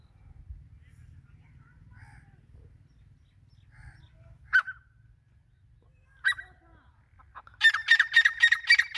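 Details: Grey francolin, the teetar, with a few isolated harsh notes breaking low background noise, then a rapid run of loud repeated grating notes at about four per second at the end.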